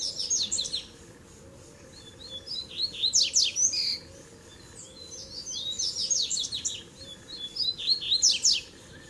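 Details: Double-collared seedeater mixing Tui Tui, Zel Zel and Mateiro song styles to warm up other birds: three energetic bursts of high clear whistles and buzzy descending sweeps, separated by short pauses.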